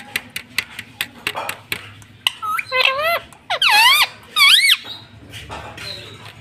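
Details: Talking pet ringneck parrot indoors: a string of sharp ticking clicks at first, then bursts of wavering, harmonic speech-like syllables with looping pitch sweeps, ending in a faint thin whistle.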